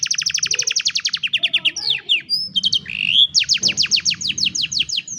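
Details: Young-canary training song from a canary: long fast trills of descending strokes, then a quick mix of swept notes and a warbling phrase before another rapid rolling trill, loud and unbroken.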